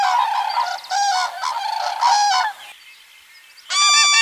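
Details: Common crane trumpeting in a rough, overlapping run of calls for over two seconds, then a near-silent pause, then one clear, loud bugled note at the end.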